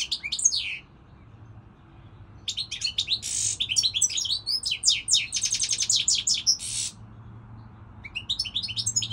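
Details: Moroccan goldfinch song: a twittered phrase, a pause, then a rich run mixing buzzy rasps, fast rattled trills and high liquid notes, another pause, then twittering resumes; a low hum sits underneath.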